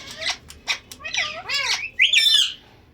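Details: Pet talking parrot, taught to say words such as Mitho and Put and to copy a cat's meow; a series of short harsh squawks and bent, warbling speech-like syllables, ending in a loud high rising-falling screech, indoors.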